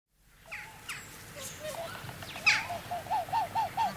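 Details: A close pair of upland geese (Chloephaga picta leucoptera) give display calls, a quick run of arched, hooting notes, about four per second; distant jackdaws and house sparrows call, one sharp chirp cutting in mid-way.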